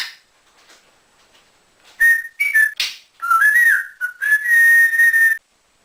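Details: Quiet room, then a pet male African grey parrot bursts into whistling: short chirps, a noisy hiss-like note, wavering slurred tones and a final long steady whistle cut off sharply.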